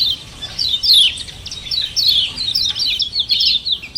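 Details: Common iora giving a doubled 'ciak ciak' call, used as a lure to stimulate other birds to answer. Dense high chirps with quick downslurred notes, tumbling over one another almost without pause in a steady stream.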